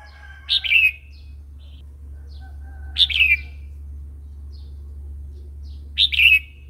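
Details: A red-whiskered bulbul delivers the wild-style song (phleng pa) for training young and wild-caught birds, three short, bright, rolling phrases spaced about three seconds apart against a constant low hum.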